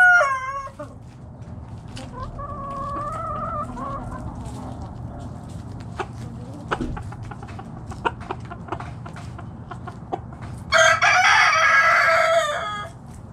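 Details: Backyard chicken flock foraging in the morning; a tonal call fading at the start, a softer drawn-out wavering call, scattered clicks and clucks, then a loud, harsh crow near the end.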